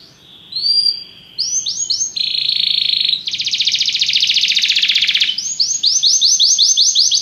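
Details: Belgian canary performing its song as training for other canaries: varied phrases of rising whistled notes, then long loud rapid rolling trills, ending with a fast run of repeated high sweeping syllables.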